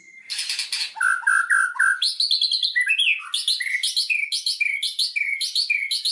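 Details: White-rumped shama lure song to trigger singing: a buzzy chatter opens, then clear whistled notes, followed by a long run of quick repeated rising whistles with high ticking overtones.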